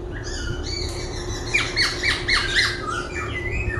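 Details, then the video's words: Laughingthrush singing while dancing and switching voices continuously, here a fast series of harsh, squawky downslurred notes, about four a second, mixed with thin whistles over a low background hum. "Khướu vừa hót vừa múa , Đảo giọng liên tục"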